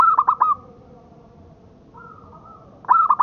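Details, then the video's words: Zebra dove of the local strain singing, used for tutoring caged birds. A stuttered burst of three to four notes ends in a drawn tone, a softer level note follows midway, then another stuttered phrase begins at the close. "Suara Perkutut Lokal Buat Masteran"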